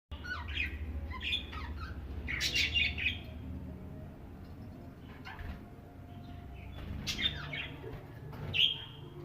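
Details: Budgerigars in a small setup chatter with bright, scratchy chirps and warbles in short bursts over a low background hum.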